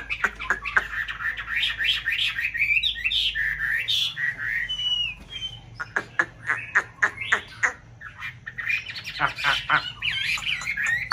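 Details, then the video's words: White Chinese hwamei in a conservation aviary in a mountain town, a pair in breeding condition at nesting time: varied loud whistled phrases mixed with sharp clicking notes and harsher squawky bursts. "họa mi bạch hót hay múa đẹp vào mùa xoáy tổ"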